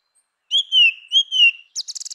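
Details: Grey-winged blackbird in natural habitat, delivering two clear, drawn-out whistles that fall slightly in pitch, followed by a rapid series of high, scratchy, ticking notes. No other sounds.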